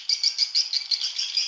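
Swiftlet mating call: rapid, high, thin chirps repeated about six times a second in an even, twittering stream, with no other sounds.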